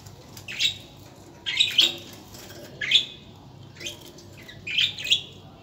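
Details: Budgerigars chirping: short bright chirps and squawky notes in bursts roughly once a second, with quiet low hum between.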